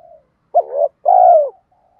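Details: Single two-part coo of a spotted dove, used to lure other doves: a sharp-onset wavering note, a brief pause, then a long mellow coo sliding downward. The surroundings are otherwise silent.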